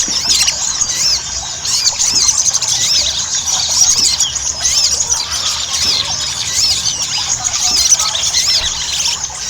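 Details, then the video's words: Lure recording of ruby-cheeked sunbird song to stimulate other birds: steady, crowded high-pitched twitter of tiny slurred notes and squeaks running on without a break. "PANCINGAN SOGON AGAR CEPAT GACOR"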